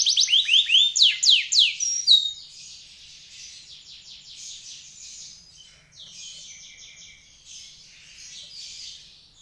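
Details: Singing canary giving a long, richly varied song: about two seconds of loud, rapidly repeated downward-sweeping whistles, then a softer chattering twitter that carries on at lower volume.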